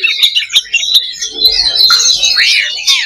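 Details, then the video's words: Oriental magpie-robin (kacer) loba song used as a fighting simulation to boost fighting mentality. Brief sharp ticking notes lead into a rich warbled phrase and a swooping arched whistle near the end. "SIMULASI LOBA BURUNG KACER || MENAIKAN MENTAL TARUNG / FIGHTER"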